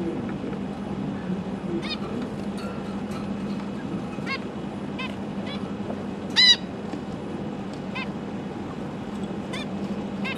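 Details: Captive zebra finch family with three juveniles and three new chicks being fed by the parents, December 2022; scattered short nasal honks across the stretch, one much louder call near the middle, constant background hum.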